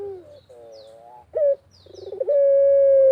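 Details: Barbary dove cooing in the countryside, used as a lure to set other doves cooing: low hooted bars, a sharp accent note, a rolling trill, then a long steady drawn-out coo; faint high twitters from other birds.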